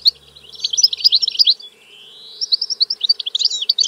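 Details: Goldfinch song, a continuous liquid twitter of high tinkling notes and trills, broken midway by a drawn-out rising nasal note before the rapid chattering resumes.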